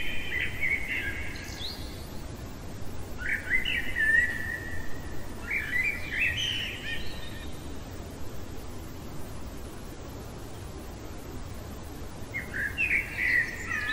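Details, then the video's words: Common blackbird singing in the heart of the night, short fluty warbled phrases spaced every two to three seconds, some with high scratchy endings, then a longer pause before another phrase; steady soft hiss throughout. "Merle chantant au cœur de la nuit"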